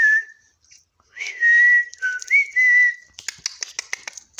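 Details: While eating, a parrot talks in long, level whistled tones with small dips and rises, then a rapid series of crisp clicks at the end.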